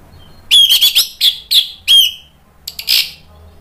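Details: Orange-headed thrush singing loudly as a prompt to get stalled birds to sing back. Clear whistled notes, some level and some slightly wavering, come in short bursts about once a second, then a pause and a final buzzy chirp.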